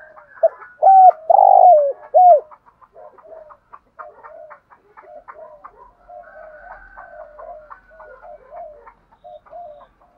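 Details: Decoy spotted dove calling in the thúc gù style to lure wild doves: a few loud, low, hollow coos with the last bent downward near the start, then a long stretch of faint, softer broken coos.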